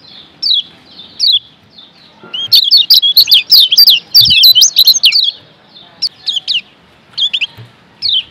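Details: A Lombok white-eye (kecial kuning), in a master recording used to train caged birds, gives high, thin chirps in short spaced bursts, then a rapid twittering run of sweet notes before returning to scattered chirps.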